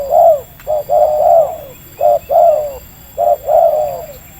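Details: Loud, close cooing from a wild local spotted dove with a medium voice, drawn in by a decoy during trapping at Libaas, Indonesia; three phrases, each a short clipped note followed by a long warbling coo.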